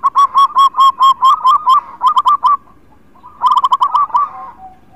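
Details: Local zebra dove singing vigorously as a lure for birds reluctant to sing: a long, loud series of rapid, evenly spaced rolling coos, a short pause, then another fast burst fading into a soft low coo.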